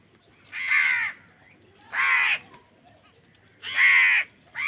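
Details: Crows quarrelling over food: three long, raucous caws, each close to half a second, separated by pauses of about a second, over a quiet background hum.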